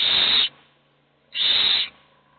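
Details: Two drawn-out, noisy hissing screeches from hungry owl chicks begging for food, only one of them eating, with about a second of silence between the calls.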